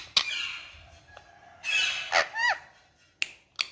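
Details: Talking ringneck parrot kept as a pet indoors: harsh, sharp squawks and a few quick falling whistled notes in short bursts, with a steady low hum in the room.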